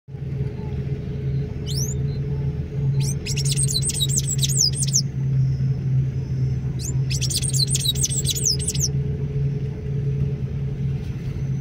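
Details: Sayaca tanager giving a call, recorded 25 May 2024: two bursts of high, squeaky chirps with quick upward and downward sweeps, each lasting about a second, over a steady low hum.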